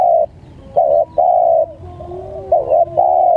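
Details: Spotted dove cooing, meant as a lure and long tutoring recording for kept birds: strong mellow hooting notes in short bursts with brief gaps, over a faint lower coo underneath and quiet surroundings.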